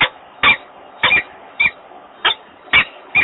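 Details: At a Włocławek nest, Poland, a male peregrine falcon calls to invite the female in, 28 February 2022. Six rasping, squeaky notes spaced about half a second apart, with faint background hum.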